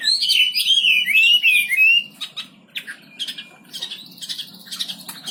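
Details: Wambi bird giving about two seconds of loud, wavering whistled song, then only faint scattered chirps and soft rustling.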